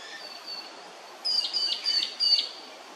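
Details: Comb-crested jacana at Hervey Bay, Queensland, giving a quick run of high, thin squeaky piping notes, about four in just over a second, after a faint, drawn-out whistle, over steady background hiss.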